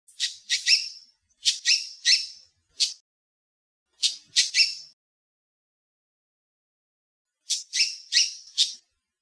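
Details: Yellow-tufted honeyeater at Bomaderry Creek Regional Park, Shoalhaven, giving harsh, scratchy high notes in quick bursts of two to four with pauses between, against a quiet background.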